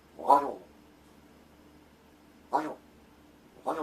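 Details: Rescued large-billed crow calling indoors during a vocal practice session as its keeper fakes sleep: three harsh, clipped caws, the first two separated by a two-second pause.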